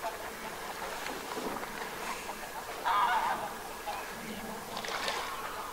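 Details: Northern Pintails call in a loose winter flock at Aiguamolls Natural Park, Spain, on January 24, 2022, with nasal honking notes and soft whistles overlapping and a louder burst midway over steady hiss.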